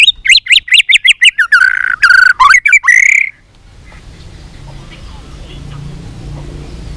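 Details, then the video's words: Fighting-song practice of a white-rumped shama: a fast rattling series of sharp notes running into loud, harsh descending phrases, ending abruptly after three seconds with only quiet background left. "chòe lửa hót đấu .luyện chòe lửa căng lửa hót nhiều giọng .chòe lửa đánh đuôi thúc bổi"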